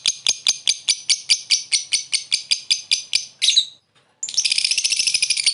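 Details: Lovebird calling to lure a rival with a short laughing call: a rapid run of harsh, high, evenly spaced chirps, a brief squeal, a short pause, then a dense grating chatter.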